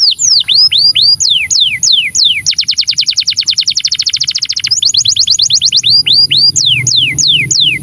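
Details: Canary in 'cengkok syahdu' song: loud downward-sweeping whistles, then a long, very rapid rattling trill of repeated notes lasting about two seconds, then more spaced descending whistles, with a constant high background tone.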